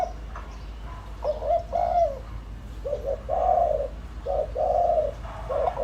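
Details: Lure spotted dove cooing to provoke wild birds: paired hollow notes, a short note then a longer rounded one, repeated in steady succession with faint knocks behind.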